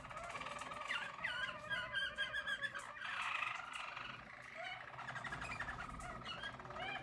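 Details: Harz German Roller canary, yellow, recorded in 2022, singing soft rolling trills and looping curved phrases in a steady warbling stream.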